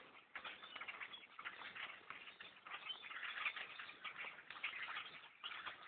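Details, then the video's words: Huge flock of blackbirds engulfing a hunter's tree stand while bow hunting, producing a thick, steady roar of clicking and chattering calls that briefly dips near the start and just before the end. "attack of the black birds in a tree stand"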